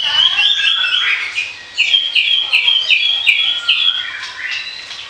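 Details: Orange-headed thrush in free-flowing song, for use as a lure: rapid, varied whistled and warbled phrases, bright and high, tumbling over one another almost without pause, with faint low ticking in the background.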